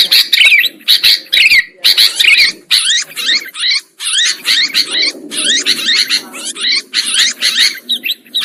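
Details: Sooty-headed bulbul calls used as a lure for trapping birds: loud, dense, overlapping chattering and squeaky phrases in rapid bursts separated by short gaps, with a low murmur beneath in places.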